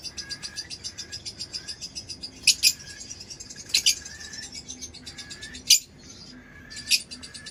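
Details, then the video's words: Lovebird chattering in rapid high pulses, punctuated by a few loud, piercing double chirps at irregular intervals. "Lovebird Chirping Sounds"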